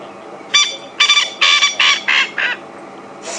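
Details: A very vocal male coqui francolin in evening light at Djuma Game Reserve, April; six rasping notes in a quick falling series, roughly 0.35 s apart, then a fresh harsh note as the series restarts.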